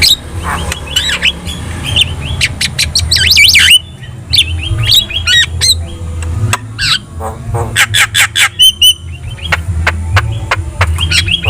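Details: Javan myna singing energetically, used as a training recording so other birds answer: harsh chattering bursts, squawky notes and strings of sharp ticks over a constant low hum.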